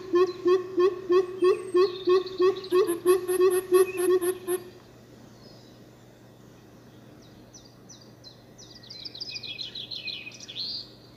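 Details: A group of coucals calling back and forth: about twelve deep, even hoots, roughly three per second, stopping after four and a half seconds. Later, thin high chirps from other small birds.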